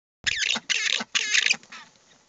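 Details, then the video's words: Southern rockhopper penguin with chicks calling its mate at the nest in a colony shared with black-browed albatross on West Point Island, Falkland Islands; three harsh, raspy bursts of about a third of a second each, then quiet. "Rockhoppers calling"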